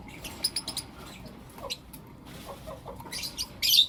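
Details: Lovebirds of blue opaline and lutino opaline colour in the morning, giving rapid clusters of high chirps and soft lower squeaks, ending in a loud harsh shriek.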